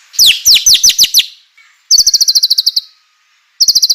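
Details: Lively White-rumped shama song for provoking other shamas to sing: three bursts of rapid, high chipping notes, the first made of steep downward slurs, the others fast even trills.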